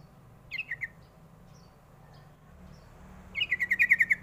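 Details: Call of the sooty-headed bulbul used to lure young birds to reply: a short falling three-note chirp, a pause, then a fast even run of about eight bright chirps.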